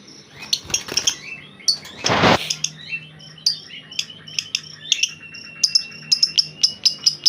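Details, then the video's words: Kept master white-rumped shama grumbling instead of singing its usual full song: sharp high ticks and short chirps, a brief noisy rush of sound midway, then a steady string of clicking notes. "Master murai batu ini biasa koslet malah ngedumel"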